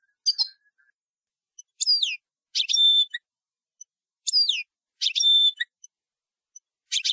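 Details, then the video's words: Tunisian European goldfinch singing an old song in the tarqa style: clear phrases of bright, steeply descending slurred whistles alternate with short buzzy trills and steady high tones, repeating roughly every two and a half seconds. "Ancien Chant d'un Chardonneret Tunisien"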